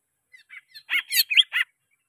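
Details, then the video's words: Greater green leafbird song used to lure caged birds into singing: a brief jumble of short squeaky, slurred chirps that grows louder, with several harsher notes near the end. "Cucak Ijo Merdu suara Gacor Ampuh Buat Pancingan"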